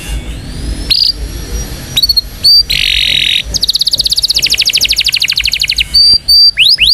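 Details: Indonesian canary song used to train young canaries: short high whistled notes and a steady buzzy roll lead into a long, fast, even trill of about three notes a second's tenth, closing with quick rising slurs.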